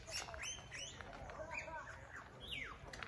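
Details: A lyrebird in the Dandenongs, Australia, pours out a quick jumble of varied whistles, with sharp downward-sweeping notes and squawky phrases tumbling together, over a faint background hum.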